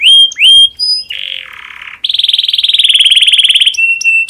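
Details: Breeding-condition domestic canary song meant to prompt other canaries to sing: rising whistles, then a harsh buzzy roll and a long, fast, pulsing trill, ending on steady high whistled notes.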